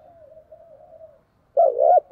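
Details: Spotted dove in a dueling coo session: a soft, wavering, drawn-out hum-like coo, a short pause, then one loud, rich coo that rises and falls, with a sharp click at the end.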